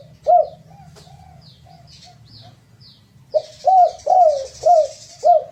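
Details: Cooing spotted dove, recorded as a lure to make birds sing: one loud coo, softer coos, then five strong rising-falling coos in quick succession, with high thin descending chirps and a hiss in the background.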